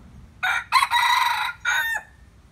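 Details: Crossbred junglefowl crowing: a short, harsh crow in three bursts, a brief opening note, a longer strained middle phrase, then a clipped final note that cuts off abruptly, over faint low background rumble.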